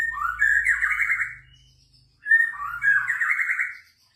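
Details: White-rumped shama giving a 'bawel baceprot' song to provoke replies from other birds; two rich, fast warbled phrases separated by a short silence, clean with little background noise.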